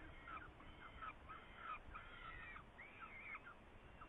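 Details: Saker falcon, Hungary, 8 May 2019, around prey: a short burst of harsh, cawing calls, some with a rising then falling tone, tumbling close together before fading, over faint background noise.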